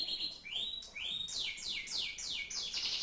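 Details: Canary singing a series of bright whistles, each sweeping sharply downward, repeated about every half second in a loud, clear sequence.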